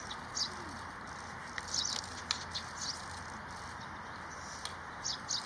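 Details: Lesser whitethroat at Olympic Park, 27 February 2022, giving short, high, dry tick notes at irregular intervals, about six in five seconds, over a steady background hiss.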